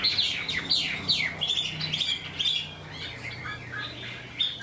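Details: Rapid, sharply descending whistled notes tumble from a caged Chinese hwamei, an untrained bird whose structured singing resembles a tame one, repeated more than twice a second over soft low hum.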